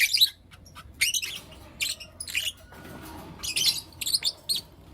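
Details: Morning calls from Blue Opaline and Lutino Opaline lovebirds: loud, grating squawk-chirps in groups, a quieter pause in the middle, then a fresh cluster of high, harsh notes.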